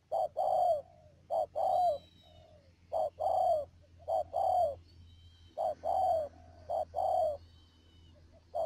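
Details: Spotted dove used as a decoy bird for trapping at Mương Điều, Đầm Dơi, Cà Mau, Vietnam, recorded 12 March 2019. Low, soft cooing notes in three phrases, each a short coo followed by longer warbling coos, over a steady low background hum.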